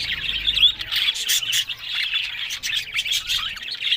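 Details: A busy mix of high chirps and squeaky whistled notes from happy, talking budgerigars, run together with no real breaks.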